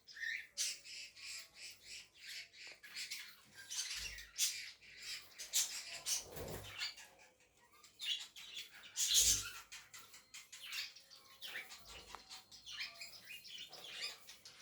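A cockatiel gives a run of harsh, high chirps and squawks in quick, uneven bursts.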